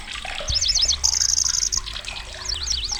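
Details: Lanceolated warbler, migrant bird reaching Indonesia, singing loudly: quick zigzag chirps lead into a sustained high, buzzing reel of under a second, then more zigzag notes, over other birds' calls and low background noise.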